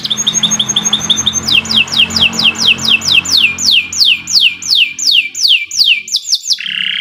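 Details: Canary song for training other birds: a fast high trill, then a long series of evenly repeated downslurred whistled notes about three per second, ending in a buzzy note.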